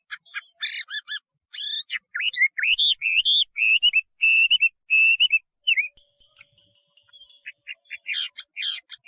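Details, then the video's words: Chinese hwamei singing: stacked chattering notes lead into a long run of clear, wavering whistles, then scattered sharp chirps. "画眉鸟的声音 The Voice of a Thrush"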